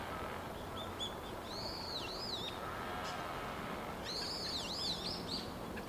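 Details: Dusky thrush filmed in Japan on 23 November 2015 with a camera and external microphone: high arched squeaky calls in short bursts, a pair then a rapid cluster, over steady broadband background noise.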